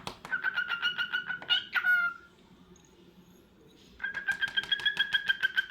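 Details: Repeated quick notes from a cockatiel, about three each second, ending the first burst in a downward slurred whistle, then silence before a second steady burst of notes.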